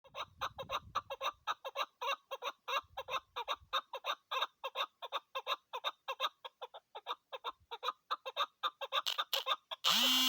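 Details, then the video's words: Female chukar partridge calling: a fast, steady run of harsh clucking notes, about four per second, with low thumps near the start and a sudden loud noise burst at the very end. "keklik sesi chakor burds shikari awaz"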